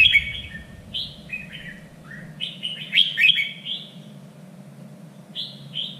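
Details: Red-whiskered bulbul contest-training song in the standard three-region voice: rapid sequence of short, sweet slurred whistles rising and falling, a brighter chattering peak in the middle, with a faint steady hum behind.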